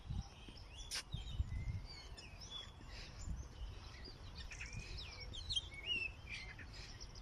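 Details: Several birds singing in the morning outdoors, with short whistled notes, rising and falling slurred phrases and high chirps scattered through, over a low rumble of background noise.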